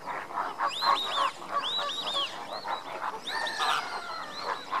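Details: Lesser flamingos foraging during enrichment in captivity: repeated nasal, arched honks in short bursts of three or four, over a steady low murmuring chatter from the group.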